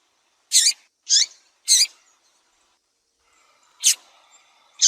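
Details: Female Double-collared seedeater from Brazil, calling a lot and cheeping to excite and warm up males: three short, sharp, high chips about half a second apart, a pause, then two more chips.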